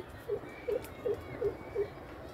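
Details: Greater coucal calling: five deep, hollow hooting notes in an even series, roughly three per second, each with a slight dip in pitch, over a steady low background hum.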